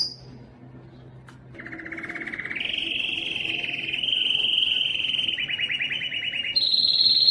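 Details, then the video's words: Yellow canary singing: a faint tone and near-silence, then a continuous rapid rolling trill that starts low, steps up in pitch and holds, ending on a higher, brighter trill. "yellow canary singing"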